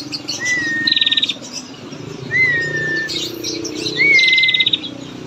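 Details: Long rattling calls of a female prinia, used as a lure to get males singing: a short, rising-then-level whistle alternates with a rapid, high trill, roughly every one and a half seconds, with soft chatter in the background.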